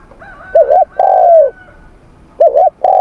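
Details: Spotted dove cooing during a morning voice-training session in Vietnam. A quick doubled coo leads into a long, sustained note that slides downward. Another phrase begins after a brief gap, with a faint higher whistle in the background.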